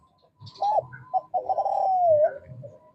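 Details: An actively calling male spotted dove of the Kelantan type, kept to draw calls from lazy doves, gives two short clipped coo notes, then one long sustained mellow coo that dips at the end. Faint chirps are heard in the background.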